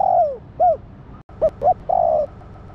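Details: Female spotted dove calling to excite the male: a long falling coo and a short rounded coo, a brief gap, then clipped soft notes leading into another long descending coo, over faint low hum.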